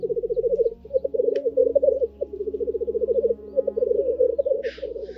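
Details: Black grouse males displaying at a spring lek before dawn in the Perthshire Highlands, Scotland, keep up a continuous low, dove-like bubbling rookoo in overlapping rolling phrases; near the end one gives a harsh hissing sneeze.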